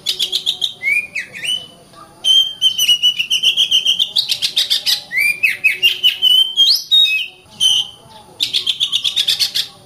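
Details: Oriental magpie-robin (kacer) delivering rapid, stuttering clicky notes woven into sustained whistled phrases that wobble and rise. Faint low tones sit beneath the song throughout.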